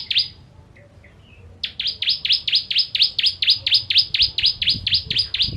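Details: Ciblek, the bar-winged prinia, with its 'kristal' song of sharp shots for tutoring other birds: a few soft notes, then a long, steady run of loud, high, slurred chips at about two per second, very regular.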